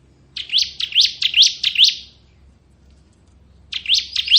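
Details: Bar-winged prinia, the ciblek kristal kind used as a tutor bird, giving a run of five rising whistled-buzzy notes, a pause, then three more.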